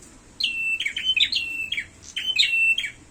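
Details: Fighting prinia giving high chirps that end in short flat whistled tails, delivered in quick groups of two or three notes with small gaps.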